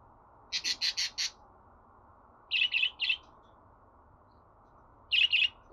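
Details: Budgerigar chatter for a pet bird to listen to and sing along with: a quick run of four chirps, then a trio of slightly lower chirps, then a final pair after a pause, over low steady noise.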